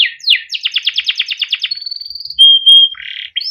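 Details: Domestic canary singing cuit cuit ngerol master song for training young birds: a quick rattle of downward chirps about ten in a second and a half, then a thin level whistle, a clear steady tone and buzzy notes.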